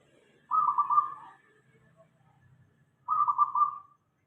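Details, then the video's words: Zebra dove of local type, used as a calling lure: two quick rippling coo phrases at an even pitch, about two and a half seconds apart, with faint low background noise. "Suara perkutut lokal.dijamin semua perkutut langsung nyaut ramai"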